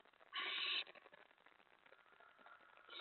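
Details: Owl at its nest at 4:46 AM on 15 May 2017, around a mouse delivery: a single harsh, hissing screech about half a second long, with quiet rustling before and after.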